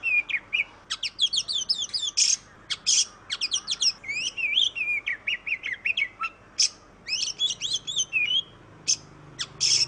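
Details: Oriental magpie-robin (kacer) pours out a lively, varied song: quick repeated whistled notes, raspy bursts, a long wavering whistle and scattered sharp chirps, continuing for about ten seconds.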